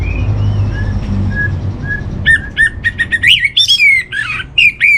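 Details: Orange-headed thrush master song for calming a kept bird: soft wavering whistles at first, then an energetic burst of varied, sharply rising and falling warbled phrases.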